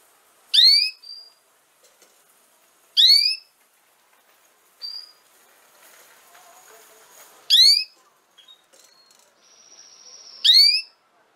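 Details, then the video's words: Four loud, sharp, downward-sweeping chirps from a female canary, spaced two to three seconds apart. A long thin whistle sounds near the end, and faint rustling fills some gaps. "chant femelle canari - canto fêmea canário"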